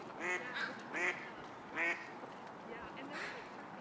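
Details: A crow making what may be a sneeze or a light chirp-like snort: three short nasal, buzzy bursts in quick succession, then fainter similar sounds against a soft outdoor hiss.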